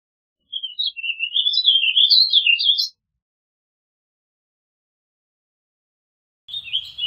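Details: A warbling vireo delivers one flowing, jumbled song phrase of rapid up-and-down warbled notes for over two seconds, then a long pause before a new phrase begins, with faint low rumble.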